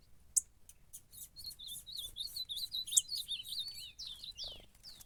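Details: Ultramarine grosbeak singing while fighting in a contest, a rapid chain of looping, slurred whistles ending in a few falling notes, over steady faint ticking.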